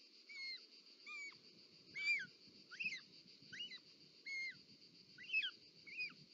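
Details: Mother short-toed snake eagle delivering a snake at the nest in Parc Natural dels Ports, Catalonia, 18 July 2024: rather soft, irregular whistled and slurred notes, some rising then falling, spaced unevenly, with rustling and a constant background hum.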